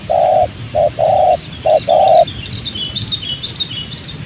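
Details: Wild spotted dove, trapped with a decoy in a rubber garden beside a settlement, keeps cooing after its leg is snared; five soft hollow coos in quick succession, then quiet with faint high chirping behind.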